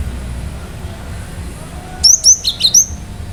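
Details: Cinereous tit (gelatik batu) in lively full song, meant to provoke other birds into answering: after two seconds of low background rumble, four sharp high whistled notes with quick upward and downward sweeps come in rapid succession.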